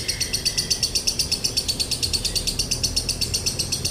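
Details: Lovebird singing the long continuous 'konslet' style with a dry tone, used to train birds and to provoke them to sing: rapid, even, buzzy chattering pulses, about four per second, running without a break, with a low background hum.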